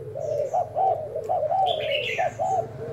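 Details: Spotted dove used as a decoy, cooing in a trial: a short series of rounded coos in pairs, with a brief sweeping chirp from another bird.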